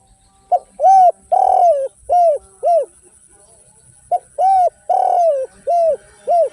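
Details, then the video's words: Spotted dove singing in its tanpa kuk and kuk 1 styles, used to spur lazy singers: two phrases of about five mellow, arched coos each, the middle coo drawn out longest, separated by a pause. "SUARA BURUNG DERKUKU TANPA KUK DAN KUK 1 GACOR"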